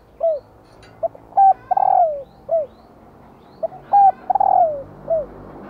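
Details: Female spotted dove giving its call to encourage males to coo: two full phrases of a short lead note, clipped double coo, long descending coo and brief final note, steady faint hum behind.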